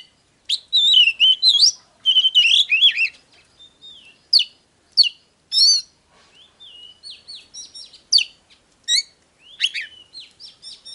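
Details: Oriental magpie-robin song, played to rouse birds into singing and fighting: loud, varied whistled phrases with looping and warbled notes, then quieter, shorter notes scattered through the second half.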